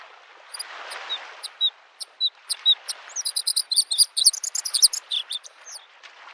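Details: By a lake in spring a Bluethroat sings, opening with scattered thin high notes and chips, then speeding into a rich, rapid jumble of metallic ringing and buzzing phrases, with faint waves in the background.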